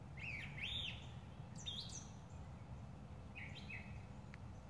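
A Brown Thrasher sings short, varied phrases of rich, slurred whistles and buzzy notes, with brief pauses between them, over a steady low rumble of background noise.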